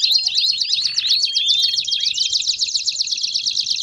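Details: Canary in 'baderna' song, played to stimulate and warm up other canaries, pours out rapid rising whistled notes that merge into a fast, rolling high trill held to the end.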